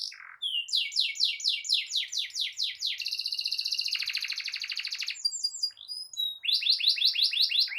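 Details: Energetic canary song, rolling style, used to teach young canaries and trigger quiet ones: rapid downslurred notes, a long rattling trill shifting in pitch, then another run of fast repeated notes.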